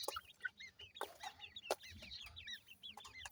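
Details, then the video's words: Ring-necked pheasant chicks giving a dense chorus of thin, high, rapidly repeated peeping calls, many overlapping downslurred and upslurred chirps, with a few sharp clicks and taps. "Ringneck Pheasant bird Chicks,teetar chicks kiawaz"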